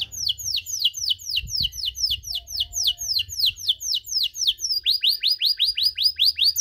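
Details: Long-duration canary cengkok song meant to provoke other canaries, with repeated high downward-curving notes in a steady rhythm, switching midway to a brighter, faster series of rising-falling sweeps; low room hum beneath.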